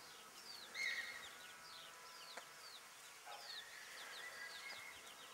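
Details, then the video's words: Bantam chicks with their broody hen: scattered high, falling peeps and a louder cheep near the start, over a steady hiss. "Glucke in Aktion Hühnerkücken Hen hen chicks in action"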